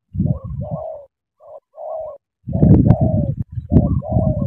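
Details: Cooing spotted dove, Cà Mau, Vietnam: soft two-note phrases, a short lead note then a sustained, gently descending coo, over loud low rumbling and knocking that thickens in the second half.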